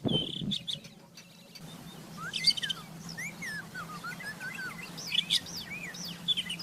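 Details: Wild rufous-tailed scrub robin in full song, a busy run of varied whistled notes rising and falling, mixed with quick high chirps and twitters over a faint low hum.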